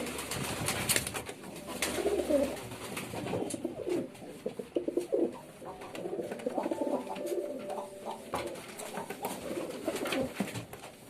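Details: Low, murmuring pigeon coos in a small indoor space, overlapping in a steady run of rolling phrases, with some rustling and faint background noise.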